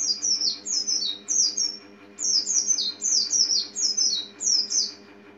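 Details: Rapid runs of high, thin descending chirps from an Oriental white-eye, notes in close pairs and triplets almost without a break, with a constant low background hum.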